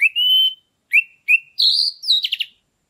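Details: Caged orange-headed thrush in full song, used to bring other birds into breeding condition: a long level whistle, two short upslurred notes, then a higher sustained whistle ending in a fast, buzzy stuttering trill. No other sounds.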